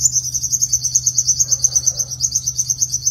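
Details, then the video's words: {'caption': 'Sunbird fighting song used as a lure to catch wild birds: a fast, continuous high trill of rapid pulsing notes held steady throughout, with a low steady hum underneath.'} "Tiếng chim hút mật 5 màu dùng đi mồi đánh bổi - Tiếng chim hút mật 5 màu hót đấu"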